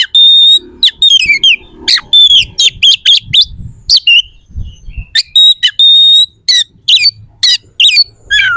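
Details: Oriental magpie-robin delivering dense, varied song with coarse and piercing phrases, used to stir rival magpie-robins to respond and fight: fast continuous whistles, sharp clicks and chirps with barely any gaps.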